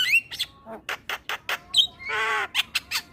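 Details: Male Javan myna song for luring starlings: short whistled slurs and clipped chatter notes, then a long harsh buzzy rasp before more quick clicks.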